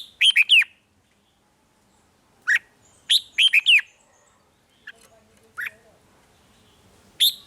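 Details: Red-whiskered bulbul from Thailand, song for exciting caged birds: quick bubbly phrases of several chirps separated by pauses, with single notes in between and a faint one near the end.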